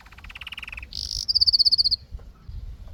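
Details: Canary singing a fast trill that drops into a rapid series of bright, pulsed high notes, then fades to faint background hum.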